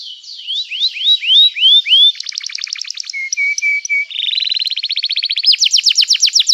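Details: Canary 'gacor cuit cuit' song aimed at triggering other canaries: a series of rising whistled slurs, a clipped rapid trill, a few short flat notes, then accelerating trills growing brighter.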